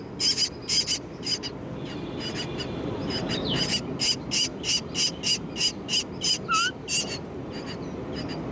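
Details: Common myna (Acridotheres tristis tristis) at a residential complex in Delhi, where a juvenile gapes from a nest and begs as an adult feeds it: harsh, raspy notes about three a second, with brief whistled and rising notes.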